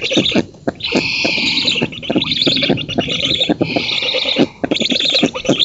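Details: At a Polish black stork nest in an oak, June 2017, the female feeds while an intruder is repelled; webcam picks up stuttering raspy clicks and bursts of loud breathy hissing in two long waves.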